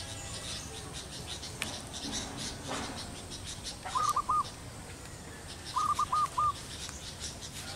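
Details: Pair of zebra doves on a teak branch after a night of rain broke a long hot, dry spell; two short bursts of rapid soft cooing notes separated by a pause, faint rustling and background noise.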